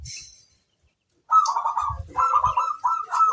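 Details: Local zebra dove singing eagerly, a master recording meant to make other doves answer: a brief quiet stretch, then fast rolling coo notes with soft low rumbles underneath.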